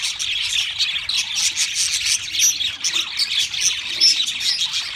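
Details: Several pet budgerigars singing together: a dense, continuous chatter of high scratchy warbles, chirps and squeaks with no pauses.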